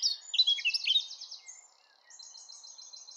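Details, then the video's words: A Eurasian blackcap sings a rapid, rich warble of high, tumbling notes, followed by a softer run of repeated chirps against faint background hiss. "Blackcap Song"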